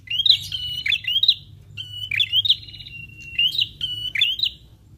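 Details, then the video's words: Lure sound used to draw answering prinias: sharp upslurred chirps mixed with short buzzy trills and one long thin level whistle, phrases coming roughly every second, over a quiet low background hum. "PRENJAK LANGSUNG NYAUT DENGAR SUARA PIKAT INI"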